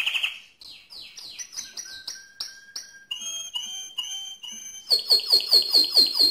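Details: Mosaic canary singing loudly: a held whistle, then rows of quick falling whistled notes, a run of steady tonal notes, ending in a fast, bright, rhythmic trill repeated at a rapid pace.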